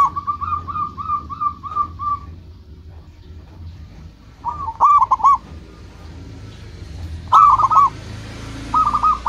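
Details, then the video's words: Zebra dove, a local bird kept to lure rivals, opens with a steady string of even, soft coos, then after a quiet gap gives short bursts of sharp stuttered cooing; low rumbling background. "Perkutut lokal gacor menarik perhatian lawan langsung pada nyaut semuanya"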